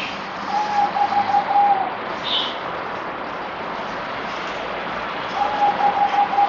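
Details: Zebra dove, called merbok, on deworming day four, 17 April 2020: a rattling series of rapid soft coos, silence, then a second short series near the end, with occasional high chirps from other birds.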